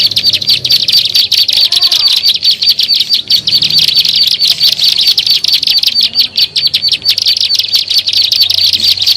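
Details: Plain prinia, known locally as ciblek sawah, in a lure recording used to attract birds: a dense, continuous stream of rapid high chirps and ticking notes, about ninety bursts a minute, with a faint low hum beneath.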